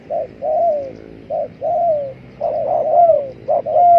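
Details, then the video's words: Spotted dove calling, used as a lure for trapping: low, hollow coo phrases, each a short coo followed by a longer drawn-out coo that slides downward, repeated about four times; faint higher whistled notes near the end. "pikat burung tekukur"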